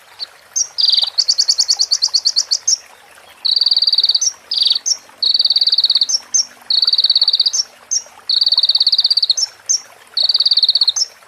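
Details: Sunbird (konin) song used as a training recording for other birds, with fill-ins of female prinia and ciblek sounds: high, bright rapid trills in bursts of one to two seconds, broken by short sharp chips and clear pauses.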